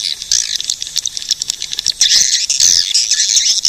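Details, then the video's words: Swiftlet twittering: overlapping high, thin chirps and squeaky notes that grow louder and denser in the second half. "suara burung walet"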